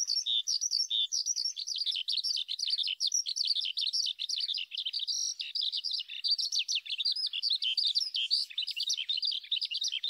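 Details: A male Eurasian skylark pours out an unbroken, high, rapid warble of trills, chirps and buzzy twitters, with no pauses throughout. No other sounds are heard.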